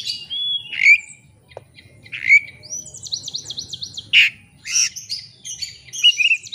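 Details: Oriental magpie-robin in active challenge song, seeking an opponent, played as a lure to make other birds sing their full repertoire: loud separated whistles, a quick run of repeated buzzy high notes, and sharp chirps, over soft low background hum.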